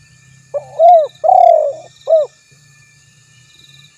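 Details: One phrase from a spotted dove: a short intro note, a bold arched coo, a long vibrating coo and a brief ending note, then near silence with light insect hum before the next phrase starts.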